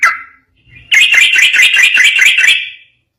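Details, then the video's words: Yellow-vented bulbul recording meant to make other bulbuls reply: one slurred whistle, a pause, then a dense, buzzy rattling burst of rapid notes lasting nearly two seconds before fading. "Masteran burung trucukan gacor ropel bikin nyaut"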